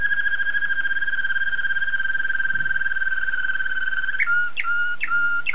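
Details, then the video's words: Belgian Waterslager canary holding a long, smooth, rippling low whistle for about four seconds before breaking into a quick series of clipped notes, each with a brief upward hook. "Watarslager Canary Song Analysis - 金丝雀"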